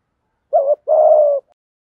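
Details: Thổ-voice coo of spotted doves, cock and hen, for rousing wild birds: one deep two-note phrase, a short wavy coo then a longer level coo, in silence.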